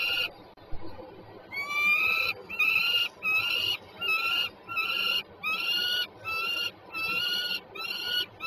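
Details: Pair of peregrine falcons, Żerań district of Warsaw, Poland, 26 September 2022. After a brief quiet start, about nine harsh, nasal wailing notes follow in steady succession, each slightly rising then level, separated by short pauses.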